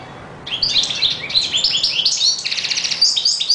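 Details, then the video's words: A European goldfinch in full song, starting after a brief quiet moment, then a fast, tinkling stream of twittering notes and rapid buzzy trills, sustained and bright to the end. "Καρδερίνα πυροβολάει!!! 😍 (Carduelis Singing)"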